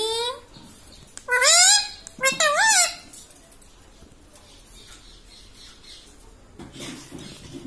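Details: Talking parrot imitating human voice: a brief call, then two wavering, nasal, speech-like phrases within the first three seconds, followed by quiet room noise.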